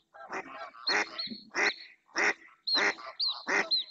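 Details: Female mallard calling insistently in the Doñana marshes, Spain, as another female and a pair of males approach: harsh, nasal quacks in a rapid, uneven series, about six in four seconds, with thin whistled notes from other ducks between them.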